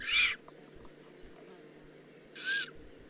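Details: Eurasian eagle-owl juvenile, Eifel, 18 June 2016: a loud opening hiss-screech, then quiet, then a second harsh screech about two seconds later. Faint low hum throughout.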